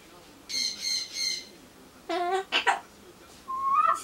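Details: Pet Solomons corella chattering to itself before being given pumpkin: three soft buzzy notes, then a clipped spoken-sounding phrase with two sharp bursts, and finally a rising whistle-like tone.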